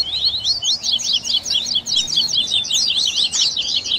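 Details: A dense tui tui baderna from a double-collared seedeater, the song mix for warming up caged birds: fast, scratchy, high chirps packed tightly together in a continuous twittering run.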